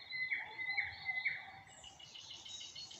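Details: Nightingale song at sunset in the Moscow region while acacia blooms: three clear whistled notes about half a second apart, then a higher, rapid buzzy phrase, over faint background noise.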